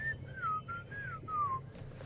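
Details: Black-crowned tchagra singing in the bush at Djuma Game Reserve, South Africa, a normal call after alarm calls stopped; a series of clear, slurred whistled notes, each gliding downward, over a low engine-like hum.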